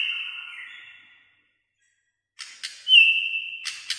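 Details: White-rumped shama singing, a fading level whistle, then a silent gap, followed by two sharp clicks, a loud steady whistle and two more clicks.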